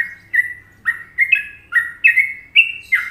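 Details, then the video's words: Indonesian sooty-headed bulbul performing the popular Trucukan rhythm: bright whistled notes in quick pairs, each phrase dipping and lifting, about seven phrases in three seconds against a quiet background. "Masteran Trucuk Indonesia"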